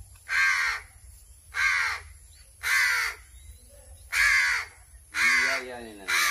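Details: Hungry crow begging while being hand-fed, its calls loud enough to ring in the ears: five harsh, raspy caws spaced about a second apart, with a faint lower wavering note near the end.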